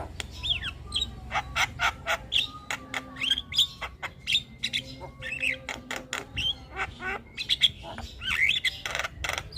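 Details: Javan myna singing tirelessly among other calling birds: steady sharp clicks interleaved with short whistled slurs and raspy chatter throughout.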